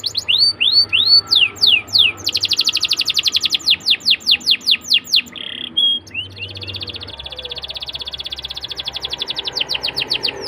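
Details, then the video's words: Canary lure song for young canaries, with arching whistles, a loud run of falling notes, a brief high buzzy roll, then a long fine rapid trill to the end. "PANCINGAN KENARI MUDA AGAR CEPAT BUNYI DAN GACOR CENGKOK ENAK! kenari Manapun akan langsung nyaut"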